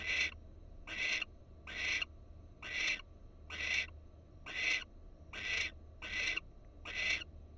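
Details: Wild Florida barn owl recorded by a nest camera; nine grating, breathy screech-hisses follow one another at a steady pace of roughly one every 0.8 seconds, low hum behind.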